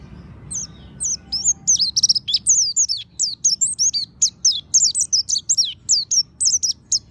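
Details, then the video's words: Oriental white-eye singing a lure phrase meant to prompt other birds to sing: a fast, lively stream of shrill, zigzagging chirps, high and sweet, tumbling one after another with hardly a break. "Pancingan suara burung pleci monty ampuh agar buka paruh"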